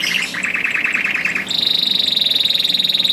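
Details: Canary singing to prompt other canaries: a rolling mid-pitched trill changing abruptly to a long, even, high rapid trill.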